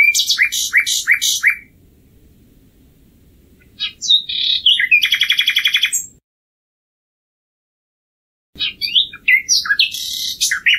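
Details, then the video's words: Several strophes of common nightingale song separated by pauses: bursts of repeated sharp notes, a rich buzzy trill, then further rapid chirping phrases. "Canto del ruiseñor común"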